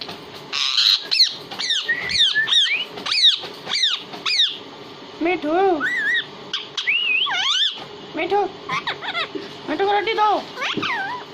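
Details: Pet talking parrot, said to speak Hindi, indoors: a burst of about eight sharp, harmonic, rising-and-falling syllables in quick succession, then a looser run of warbled, slurred, voice-like notes and short squeaks.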